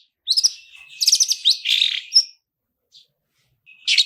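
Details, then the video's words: Long-tailed shrike "toet toet" lure with rich mimicked filling: a fluttering trill of fast rising notes running into a harsh, hissing rasp, then a pause before a final scratchy burst. "PANCINGAN CENDET GACOR ISIAN MEWAH"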